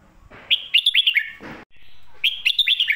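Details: Red-whiskered bulbul, song in the lak wai / mae bot style: two loud phrases of rapid, bright, swooping notes, separated by a brief rustling thump.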